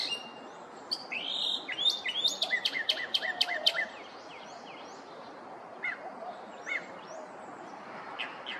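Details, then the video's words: Morning song of a Northern mockingbird in a neighborhood, imitating other birds: a rapid series of sharp down-slurred notes in the first few seconds, then sparse softer chirps after pauses, over faint steady background hiss. "Northern Mockingbird"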